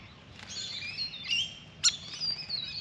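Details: Grey fantail by a birdbath: a thin, high, wavering squeaky warble with gliding notes, broken by a single sharp chip near the middle.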